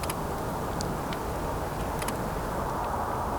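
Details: Steady low vehicle rumble with a few faint ticks and clicks, and no animal voice.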